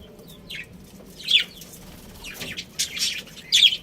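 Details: Chirping from a budgerigar breeding pair: scattered high, buzzy chirp notes with quiet gaps, louder calls near the middle and at the close.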